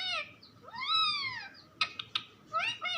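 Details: Pet parrot giving a short nasal note, then a long arched whine, a few sharp clicks, and a final quick wavering syllable.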